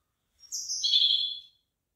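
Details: Bird singing in rice fields with ripening rice ears: a single bright phrase of about one second, high whistled notes sliding down into a buzzy, trilled ending, then silence.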